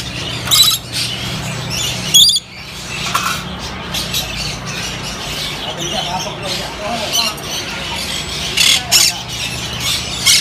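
Harsh, grating screeches from a Swainson's lorikeet come in short, irregular bursts over a low, steady hum, with faint voices in the background.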